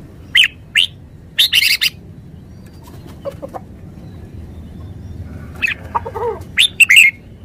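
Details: Red-whiskered bulbul delivering sharp, whistled notes in brief spaced groups. A few softer notes come in the middle, over low background hum.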